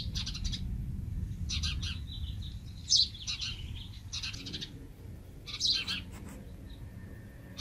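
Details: House sparrow chick set in an old palm-tree nest near a house, awaiting its mother; rapid high chirps and chattering bursts, several per second in clusters, over low rumbling background noise.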